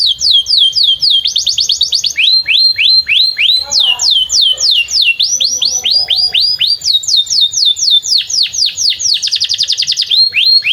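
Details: Long canary song beside a field, used as a singing lesson for young canaries and stalled singers. Continuous chains of rapid upslurred whistles, changing speed between phrases, with a quick fast trill near the end.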